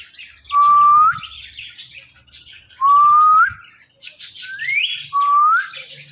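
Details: Pet parrot, five years old, repeating a loud rising whistle three times about two seconds apart, each note sliding upward, with quieter chirps and chatter in between.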